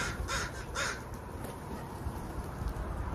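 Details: Crow giving two harsh, broadband caws in quick succession near the start, followed by steady low rumbling background noise.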